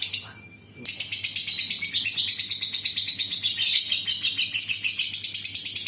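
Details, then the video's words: Lovebird giving a long continuous chattering trill used to lure other lovebirds into calling: after a brief quiet start, dense shrill rapid chirps pour out without pause, with a low hum underneath. "SUARA BURUNG LOVEBIRD INI AMPUH UNTUK PANCINGAN LB LAIN NGEKEK PANJANG"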